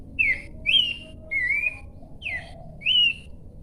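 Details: Horsfield's babbler giving a run of five clean whistled notes, alternately falling and rising in pitch, spaced roughly half a second apart.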